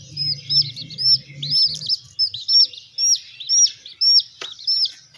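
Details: Little hen chicks under care peep steadily: high, bright, arch-shaped notes repeated about twice a second from more than one bird, over a low droning hum at the start and a single sharp knock near the end.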